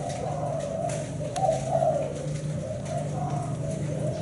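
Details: Seven-note ('bảy sị') cooing of a Thai black-spotted spotted dove: soft, husky coos that swell in the middle and trail away, accompanied by a steady mechanical hum.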